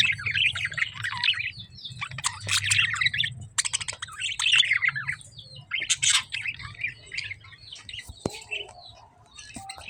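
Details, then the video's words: Busy lovebird chatter: clusters of rapid, scratchy chirps in loud bursts separated by brief quieter gaps, over a constant low background hum. "lovebird chirping sound"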